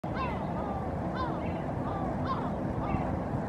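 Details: Two adult European herring gulls standing on sea ice in Helsinki, Finland, in April 2023 trade short, harmonic, downslurred mewing calls about once a second in a dialogue, over a low rumble of wind and water.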